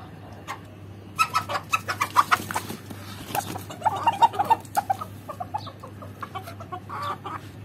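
Chickens cluck in two quick runs of short, mid-pitched notes, about four or five per second, over a steady low hum and light rustling.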